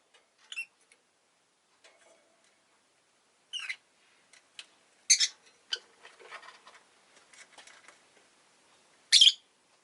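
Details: Pair of rosy-faced lovebirds clustered at the entrance: scattered piercing chirps, one loud screech near the end, amid soft clicking, rustling and faint background noise.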